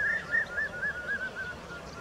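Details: Common hawk-cuckoo, known locally as brainfever bird or papiha: a quick series of clear, slightly arched whistled notes, about four per second, gradually fading and sinking a little in pitch over two seconds against faint background hiss.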